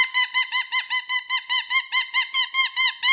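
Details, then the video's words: Pet cockatoo playing with new jingly toys on its cage, repeating a harsh rising-falling hoot about fourteen times in three seconds, a silly woo-woo-woo pattern. "Fun Talking, Silly Wing Waves, Woo Woo Woo!!!"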